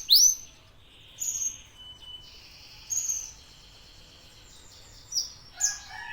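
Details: Local domestic canary, sung as a training lure to prompt other canaries; sparse high whistled phrases and short sweeping notes separated by pauses, with a few sharp upward chirps near the end.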